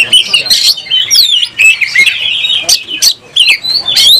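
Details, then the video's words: Fighting oriental magpie-robin with open tail, singing emotionally; loud, dense stream of high whistles, slurred squeaks and harsh chattering notes, broken by brief pauses and crisp clicking sounds. "Kacer gacor langsung tarung buka ekor bongkar emosi"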